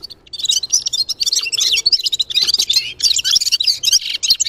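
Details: Red-fronted serin, locally called gulsir, pours out a continuous, rapid, high-pitched twittering song. The tinkling, jumbled notes run almost without pause for over four seconds.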